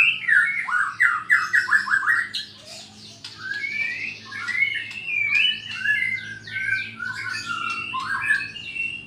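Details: Bornean White-rumped shama from Sarawak in kecor song, provoking a rival to fight: a quick series of downward-slurred whistles, a brief pause, then jumbled rising and falling phrases with chattering notes.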